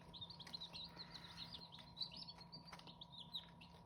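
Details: Chorus of Hmong chicken chicks cheeping continuously, high piping notes tumbling over one another, some sliding down in pitch, over a low constant hum and light tapping.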